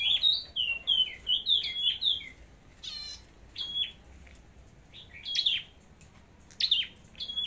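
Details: Red-headed flowerpecker in contest song, its form checked before going to the forest: fast string of high twittering notes, then a brief buzzy rattle and scattered sharp chips with short whistles.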